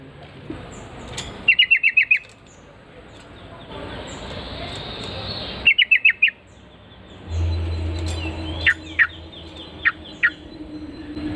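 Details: Yellow-vented Bulbul (trucukan) replying to a played lure call with short, quick trills of sharp chirps, heard twice, followed by a few scattered single notes over steady background noise.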